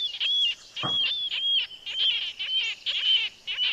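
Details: Marbled Murrelets near Mount Rainier (Carbon River) give rapid series of high, piercing, gull-like keer calls, several overlapping, with short pauses between bursts; calls heard at first light, used by parents to locate each other or on feeding runs.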